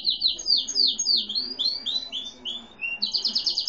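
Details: Singing canary, grey and white lavender colouring, no set breed, with a seedeater reported singing at the time: loud descending whistled sweeps in quick succession, some rising slurs, ending in a rapid rattling trill.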